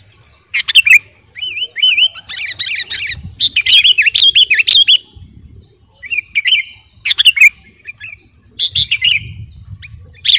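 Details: Sooty-headed bulbul, kutilang garuda, singing vigorously as a master song for luring: phrases of clear slurred whistles and chattering notes in bursts with pauses between, over soft low rumbling and a steady high whine.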